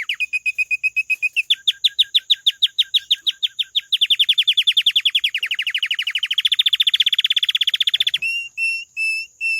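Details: Canary song built from long rapid trills, starting low and rising through swept repeated notes to a dense high rattle, ending in short clear whistled notes; a faint steady high tone runs throughout.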